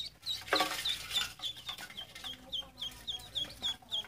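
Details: Ducklings chirp in evenly spaced, high, downslurred peeps, about three per second, after a short burst of hissing noise near the start.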